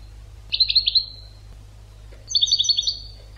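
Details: Educational European goldfinch song for training birds: two bursts of bright, rapid, twittering high notes with buzzy downward slurs, separated by a quiet pause, over a low steady hum.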